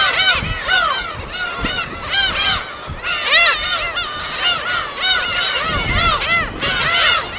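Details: A chorus of gulls at their wild breeding colony on an uninhabited West Sea island: repeated rising-and-falling yelping calls from many birds at once, thick and continuous, with faint thuds of surf below.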